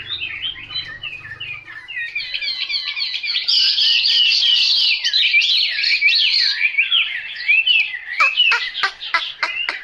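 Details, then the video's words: Chinese hwamei delivering a long, loud, continuous song of rolling whistles and fluty warbles that swell in the middle. It closes with a string of sharp, clipped staccato notes. "Họa mi tuyển chọn"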